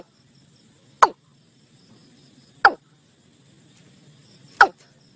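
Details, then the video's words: Calls of the watercock (cúm núm, gà đồng) used to draw a flock into a net: three abrupt, sharply falling notes spaced about one and a half to two seconds apart, against a quiet low background hum. "Tiếng cúm núm (gà đồng) mới nhất gọi đàn vào lưới."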